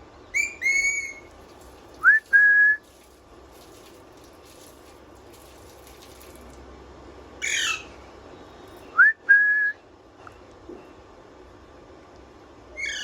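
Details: Pet parrot whistling indoors: short rising whistles followed by a steady held tone, given twice with long quiet gaps, plus a few harsh squawky bursts in between.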